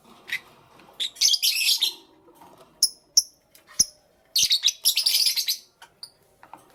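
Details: High, thin chirps and clustered bursts of squeaky chatter from pet lovebirds in the morning, including a few isolated sharp, rising notes between the louder outbursts.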